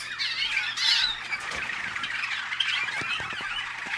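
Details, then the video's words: Waterslager (malinois) canaries hatched in North Canton, Ohio, USA: a dense, continuous stream of warbled and chattering phrases, overlapping and tangled, with a brief louder burst near the first second and faint low hum beneath. "waterslager canary"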